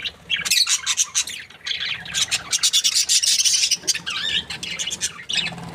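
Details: Budgies chirp happily in a fast, raspy warble, a rapid run of clicking squawks with wavering whistled notes near the end.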